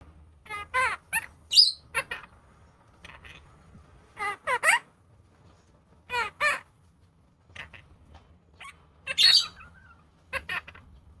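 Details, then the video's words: Opaline monk parakeet, a pet talking parrot, speaking and trying a new word: a string of short speech-like syllables with human-voice formants, interspersed with a few sharp squeaky chirps, quiet low room hum beneath. "Opaline Monk Parakeet speaking/Talking Parrot /New Word"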